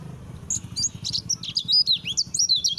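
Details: White-eye song used as training material for pet white-eyes: a rapid, jumbled twittering of high, thin notes slurred up and down in quick bursts, over a faint low hum.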